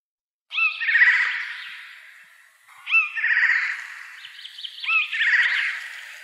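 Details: Eurasian jay in the Wittlicher Tal, recorded in 2018: a brief mewing note opens each of three harsh, rasping screeches, each trailing off in a noisy hiss, spaced about two seconds apart, with no other sounds.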